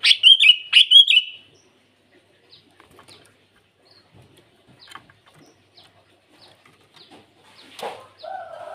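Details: A sooty-headed bulbul calls rivals in the morning with a short burst of three or four loud, rich, bubbling whistles, followed by near silence with faint clicks and a brief low squawk.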